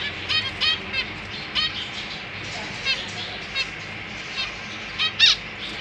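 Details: Caged zebra finch family with recently fledged chicks; brief stacked nasal calls repeated at irregular intervals, a louder one near the end, with faint background hum.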